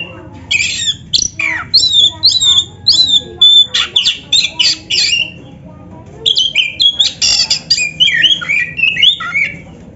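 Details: Oriental magpie-robin, a black-breasted kacer, singing as a master song to stimulate caged birds: loud varied whistles, harsh squawky notes and quick chattering phrases in two bursts separated by a short pause.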